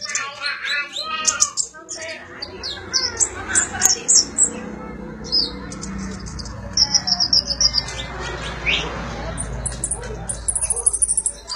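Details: Sunbird (konin or kolibri ninja) used as song filler for magpie-robins: busy high chirping and ticking, several fast trilled bursts and squeaky phrases spread across the recording, over a noisy low hum.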